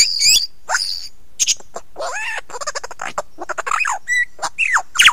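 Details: Lyrebird singing close up at Ben Ricketts on 16 November 2022 at 9 AM: a varied run of sharp high chips, rising and falling slurred whistles and quick clicking bursts, with brief pauses between phrases.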